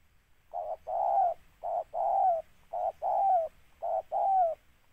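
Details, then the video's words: Spotted dove, the target of a trapping session, calling in steady rhythm: a short coo followed by a long, rough, gently falling coo, four pairs in about five seconds on a quiet background. "TEKUKUR PR"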